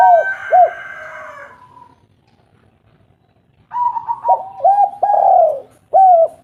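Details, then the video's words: Spotted dove of a local strain, a lure recording to spur silent doves into calling. A falling coo, a pause, then a fresh burst of soft hooked coo notes and a longer sliding one. "pancingan maut tekukur derkuku lokal gacor burung malas bunyi langsung gacor"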